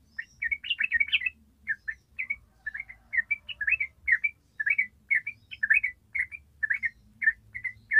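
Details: Long rapid 'ropel' song of an actively singing yellow-vented bulbul, the trucukan style used to lure untrained birds: clusters of bright, liquid chirps tumbling quickly one after another, some doubled, over a quiet background.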